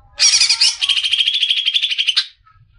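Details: Greater green leafbird (cucak ijo) described as a future contest champion, recorded as a tutor song: a harsh rich burst opening into a fast, even, buzzy trill of rapid pulses lasting about two seconds, then silence.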